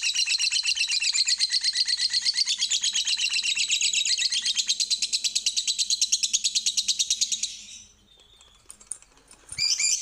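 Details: A lovebird in 'ngekek panjang' style, a lure to make birds sing: about seven seconds of rapid, shrill pulsed chatter, then a near-silent pause and a final harsh squawk.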